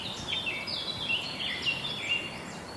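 Java sparrows chirp in short, high, clipped notes, several overlapping in a busy chatter over a soft background hiss.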